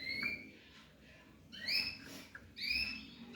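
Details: Young African yellow canary and canary mule giving a short slurred note, a pause, then a bright upward-sweeping call and a second rising note near the end, clear against a faint background hum.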